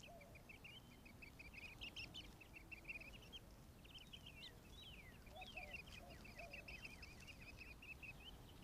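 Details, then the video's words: Quail chicks, eleven of them, chirping at a pond on a sunny Arizona afternoon: long rapid strings of thin high peeps, joined by other birds' sliding calls and a few lower whistled notes. "11 Quail Chicks Chirp & Drink on a Beautiful Afternoon"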